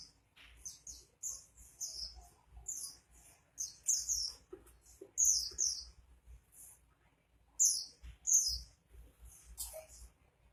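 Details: Actively singing Oriental white-eye, 'gacor': dense, high-pitched chattering phrases repeated every second or so, some louder scratchy bursts among softer twitters, with a faint low background hum.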